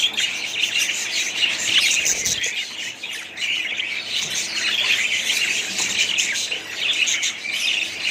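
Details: Budgerigars squawking and twittering at length, harsh scratchy notes interwoven with high chirps and whistles in an unbroken, crowded chorus.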